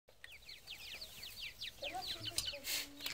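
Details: Grey francolin chicks giving high, thin peeping calls. Each call is a quick downslurred chirp, repeated rapidly and unevenly. Lower squeaky notes and a few clicks and knocks are also heard.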